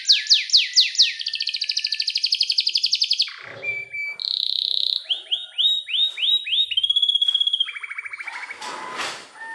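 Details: Canary song used as a lure to get a young canary singing, with clear long rolls: fast descending trills, a steady buzzy tone, then rising slurred notes repeated about four per second and a short lower trill.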